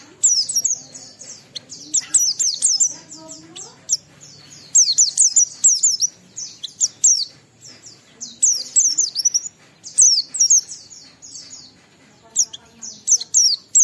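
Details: Extended clear song of an Oriental white-eye in the ngalas style, aimed at drawing other white-eyes into song: dense, rapid strings of shrill descending notes and twitters in repeated phrases, interrupted by short quiet spells.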